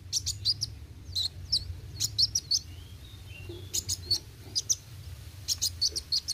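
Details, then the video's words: Sunbird called kolibri wuling giving roll tembak song: short clusters of two to four piercing high chirps with thin sliding whistles between them, spaced by brief gaps, low hum beneath. "Kolibri Wuling Gacor Roll tembak"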